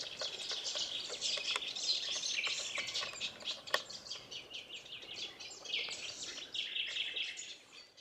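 Cetti's warbler song: loud, abrupt bursts of rich, rapid notes, set within a busy wash of other high chirping birds.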